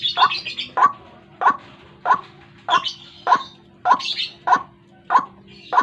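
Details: White-breasted waterhen call played as a morning lure to attract birds: ten short, grating croaks at a regular rhythm near one per 0.6 seconds, mixed with higher thin chattering notes over a faint hum.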